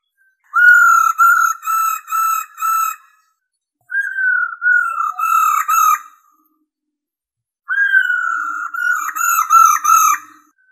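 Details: Female black-throated laughingthrush giving a song that stimulates males: three runs of rich whistled notes, each run of four to six looping, slightly descending notes with long silent gaps between.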